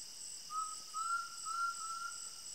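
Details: An undulated tinamou in the Brazilian sertão countryside, tagged at sunset, gives a low, pure, flute-like whistle in a few drawn-out notes, steady in pitch, over a constant high insect drone.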